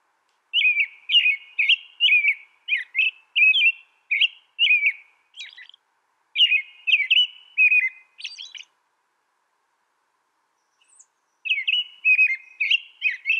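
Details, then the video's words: An American robin sings a long run of clear, whistled caroling phrases, about two per second, then pauses and adds a few thin high squeaky notes. It falls silent for roughly three seconds and resumes. The background is quiet. "American Robin Sound"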